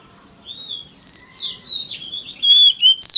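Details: Oriental magpie-robin lure song for provoking rival males into contest singing, wild forest-style voice, very loud: clear whistled notes and slurred glides, rising and falling, in short varied phrases with brief pauses.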